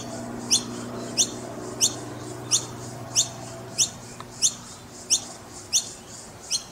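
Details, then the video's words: Noisy miner babies in Brisbane giving high, sharp chip notes about every 0.6 seconds, steady and evenly spaced over a low background hum. "Noisy Miner babies in Brisbane"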